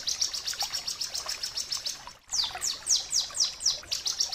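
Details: A Bar-winged Prinia (ciblek kristal) sings a rapid string of high, thin chirps, about four per second, then a run of sharp downslurred notes.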